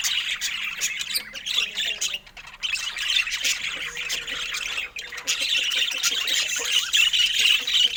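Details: Pet budgerigar during play with its owner, producing rapid scratchy squawks and chatter, briefly quieter near the middle, then clear high chirps toward the end.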